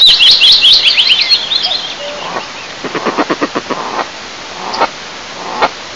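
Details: Eastern imperial eagle pair, male and female, at their nest about 20 m high in Lower Kama National Park, Tatarstan, Russia, 15 May 2024, during incubation: high twittering notes, then about eight short hoarse barks and a few single calls.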